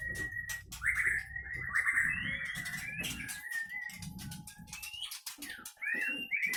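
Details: Captive-bred white-rumped shama of the Leuser Pining strain, Gayo Lues, Aceh; long sustained whistled phrases with warbling passages and occasional sharp upslurred notes over a low hum and clicking background.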